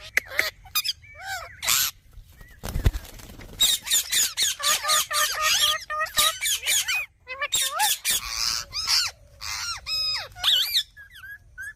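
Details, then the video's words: Green parrot chattering in rapid runs of squeaky, warbling notes and harsh squawks, with a brief broadband noise burst early on. "Green Parrot Video। Cute Parrot Video। Talking Parrot Video।Mithu Ki Awaj।"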